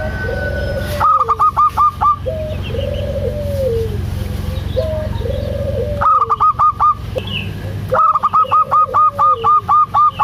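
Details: A local zebra dove in strong voice, recorded to lure a lazy dove into calling: repeated bursts of six to ten fast, bright, clipped notes alternate with lower arching, falling coos, over a persistent low hum.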